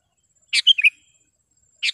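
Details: Sooty-headed bulbul in sharp, clear song, played to train caged birds and draw in wild ones: a quick phrase of four bright chirps, then another note begins near the end.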